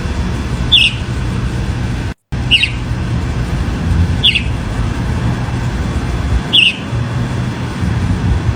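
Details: Chalk-browed mockingbird (sabiá-do-campo) calling: short, sharp, slightly falling high notes spaced about two seconds apart over a steady low rumble, with one brief dropout.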